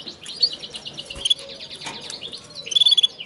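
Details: Linnet and canary hybrid singing short, high chirped phrases and a brief trill near the end, with soft background noise.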